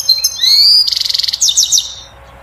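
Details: European goldfinch singing to stimulate a female to mate and build a nest: a rising clear whistle leads into a fast buzzy trill, then a few sharp descending chips.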